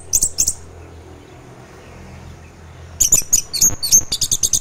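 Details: Orange-headed thrush, teler song used in the morning to spur other thrushes into song; two high buzzy notes, a pause of over two seconds, then a fast string of very high piping and twittering notes.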